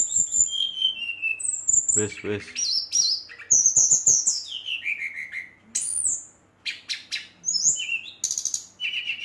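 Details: Brown-chested jungle flycatcher singing hard to rile rival birds: a long stream of clear whistled phrases that slide up and down, mixed with brief buzzy notes and short gaps.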